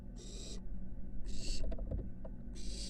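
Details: Barn owl nestling at a University of Florida nest box, stepping from porch toward the roof; three breathy hissing screeches, with scratching and tapping sounds between the second and third.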